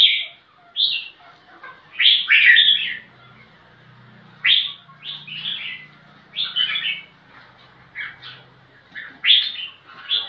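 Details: Red-whiskered bulbul seeking an opponent to fight, giving spaced bursts of bright whistled notes, each burst brief and emphatic. Quieter pauses fall between them, over a faint low hum.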